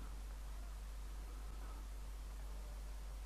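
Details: Steady broadband hiss over a low electrical hum, with no animal voices.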